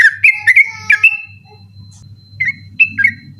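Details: Sooty-headed bulbul at night, recorded to train other birds; a few loud whistled notes open, then a pause and several quieter scattered whistles over a low hum.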